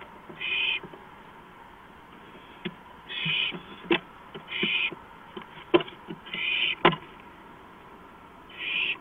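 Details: Owl heard from a porch in the early morning, 2:05 AM on April 5, 2015: five raspy, noisy hiss bursts spaced one to two seconds apart, with scattered clicks and knocks between them.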